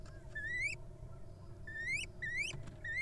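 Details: Little owl calling in the wild near its nest during the egg-laying period. A few upslurred, whistled notes rise sharply at the end, spaced about half a second apart, above a faint steady hum.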